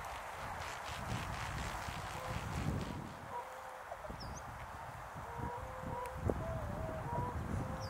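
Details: A large flock of tundra swans in snowy Azumino, cloudy at -4°C: steady, flat, bugle-like honks with bright overtones sound in overlapping bursts over low wind rumble, with several birds calling at once.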